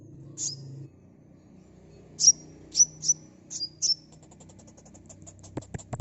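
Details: Sunbird calls used as a lure for a fast response: five sharp, high chirps, each dropping into a brief thin tail, spaced unevenly and set over a low steady hum, with soft clicks near the end.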